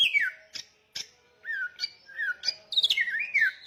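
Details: Samyong bird singing: a falling whistled slur, separate sharp clicks, then wavering whistled phrases building to a fast chattering finish.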